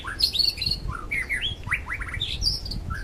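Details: Wild white-rumped shama song, meant to coax silent shamas into singing: rich warbled and slurred whistles, rising and falling, in a fast continuous stream over faint low hum.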